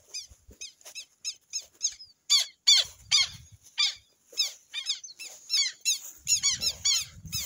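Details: Southern lapwing of the Amazon uttering loud, grating, down-curved notes, some spaced, others in quick clusters, with light low background noise.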